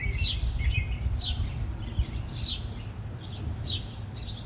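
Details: Fighting house sparrows give loud, high, downward-slurred chirps at irregular intervals, roughly one or two per second, above a constant low-pitched rumble.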